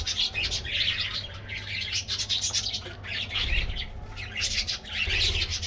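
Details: Many colorful budgies in an aviary colony at a morning diet treat, producing continuous bright twittering and scratchy warbles in waves, over a low mechanical hum.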